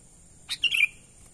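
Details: One short phrase from a sooty-headed bulbul's natural lure call, used to draw in wild birds: a sharp note, then a bubbly, gurgling run sliding lower. A thin continuous high hum is also heard.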